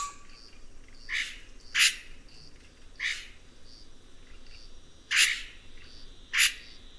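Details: Red-rumped cacique song: spaced, sharp, crackling bursts, some paired, repeated every second or two, over a quiet background hiss.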